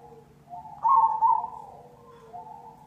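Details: Zebra dove of the cemani (perkutut cemani) variety singing a lure song: soft low coos, then a loud burst of two rapid bubbling notes near the middle, trailing into a quieter coo.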